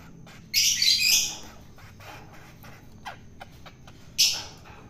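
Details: Wild-caught long-tailed shrike fed for taming, giving one long rasping squawk, a quiet stretch with soft clicks, then a short harsh burst.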